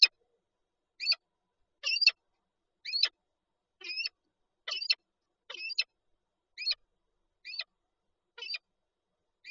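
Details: Pair of Peregrine falcons at the nest with an egg, Lublin, Poland, 19 March 2022, repeating a high, squeaky two-part call roughly once a second in a steady series.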